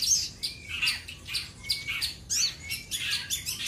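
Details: Common iora singing to call out a rival, a jumble of high chirps, squeaky notes and short whistled slurs in quick bursts, with brief clear tones between the louder phrases.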